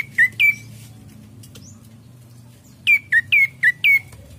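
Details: Ashy prinia song meant to lure birds into singing: a pair of sharp downslurred chirps, a long quiet gap, then a quick run of five similar bright notes, with a soft low hum underneath.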